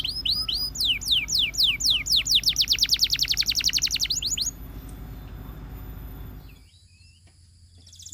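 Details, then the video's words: Song of a Russian canary: upward and downward whistled strokes run into a fast, bright trill for about four seconds, then the bird falls nearly silent with faint notes. "The Russian Canary Invites All Canaries to Sing"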